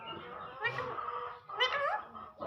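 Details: Talking parrot speaking in a harsh, nasal voice: two short phrases like "me too", each a bright buzzy burst with a falling and rising tone, separated by a brief pause, with a quiet room behind.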